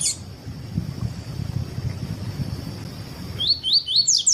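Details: A double-collared seedeater sings in the tui-tui style, a song used to teach and warm up other seedeaters. Brief noise at the start and a dull low rumble give way to a closing burst of four quick, bright, rising whistled notes.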